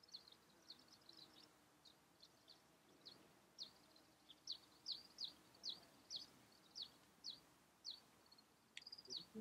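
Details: Eyebrowed thrush (Turdus obscurus) giving thin, high, sharp call notes about every half second, growing louder midway, over a faint low background hum.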